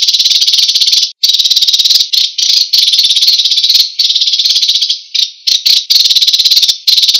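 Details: American sparrow song, used for training songbirds. A loud, rapid, buzzy high trill runs almost continuously, broken by several brief gaps and short restarts.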